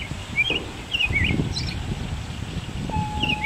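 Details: An American robin sings from a neighbour's tree: short, slurred caroling phrases about a beat apart, over a low rumble of distant traffic and a steady mechanical hum near the end.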